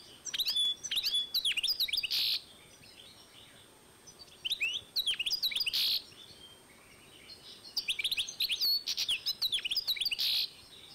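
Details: Hybrid of European goldfinch and canary, 2012, singing three separate bursts of fast twittering, each a tumble of high chirps and slurred notes closing with a harsh buzz, quiet pauses between.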